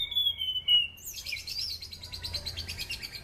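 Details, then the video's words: Sunda pied fantail song, offered as a lure for training cage birds: a long steady whistle, then a busy run of sharp, rapidly repeated high chirping notes. A low hum runs underneath. "SUARA ASLI ANIS CENDANA"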